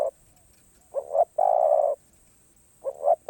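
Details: Karom pa roi song style from a spotted dove: a paired short coo, a half-second held coo, then another paired opening, all low and mellow against a faint high hum.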